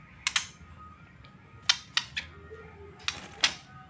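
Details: Sharp clicks and taps like typing in a small room, with faint background music and no animal voice.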